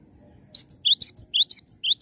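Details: Cinereous tit, a live bird singing vigorously, gives about eleven loud, piercing notes in a second and a half. High thin whistles alternate with lower rising slurs in a steady two-note rhythm over light low background noise.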